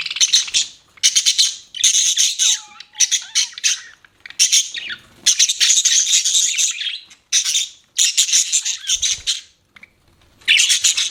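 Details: Caged pet budgerigar giving rapid scratchy chirp bursts, each a second or two long, separated by short quiet gaps, with a faint low whistle in the background early on.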